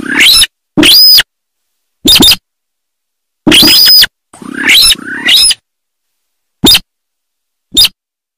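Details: Sintar from paddy fields giving loud harsh calls with a squealing upper edge, several longer rasping bursts grouped closely, then two isolated short sharp notes.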